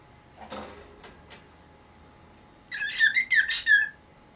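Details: Pet cockatiel of nineteen years, making a fuss in the morning so the cloth covering its cage is taken away: a few soft rustles, then a loud burst of harsh, rising squawks and whistles.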